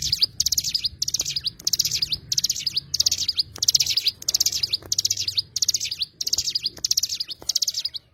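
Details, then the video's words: Oriental white-eye (cigun) in sustained song: a steady series of high, tinny twittering bursts, each packed with quick notes, repeating at a regular pace of about one and a half per second. "burung cigun"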